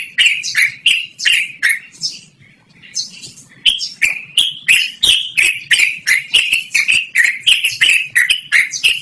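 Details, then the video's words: Loud 'ngerol' chattering of a yellow-vented bulbul, used as a lure or training model: quick clicked chirps, a short lull with softer notes near two seconds, then an even faster steady stream of harsh slurred notes. "BURUNG TRUCUKAN GACORR NGEROL DURASI PANJANG"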